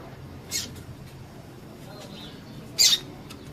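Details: Female double-collared seedeater giving her call meant to stir a male to sing: two short, piercing high chirps about two seconds apart against a faint low electrical hum.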